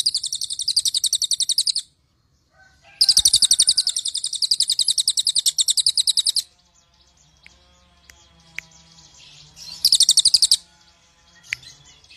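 A cililin sings rapid, very high, dry chattering trills in bursts of about two seconds, separated by short pauses, with faint background noise.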